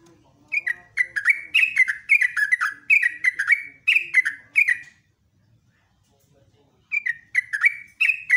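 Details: Energetic morning song of a yellow-vented bulbul in rapid 'ropelan' style: a fast string of bubbling, slurred whistled notes lasting about four seconds, a two-second silence, then the chattering phrases resume.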